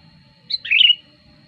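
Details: Sooty-headed bulbul lure song to bring wild birds close: a brisk high note then a warbling, liquid burst lasting under half a second, over a faint low hum.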